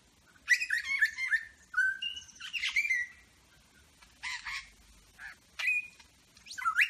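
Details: Superb lyrebird in Berowra Valley National Park mimicking other birds: a varied run of clear whistled phrases, sliding notes and harsh chattering bursts, separated by brief pauses, with no other sounds.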